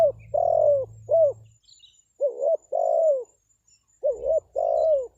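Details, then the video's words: Spotted dove lure call for luring wild doves: three repeated phrases, each a brief rising note followed by a longer, mellow, gently falling coo, about one phrase every two seconds, with a faint low rumble at the start. "SUARA PANGGILAN TEKUKUR PIKAT, BURUNG HUTAN PASTI NYAHUT"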